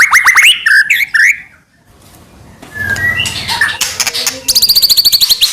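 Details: Lure song of a white-rumped shama, meant to make other shamas sing and become agitated: quick rising whistled notes, a quiet noisy pause with faint chatter, then a rapid run of repeated sharp high notes.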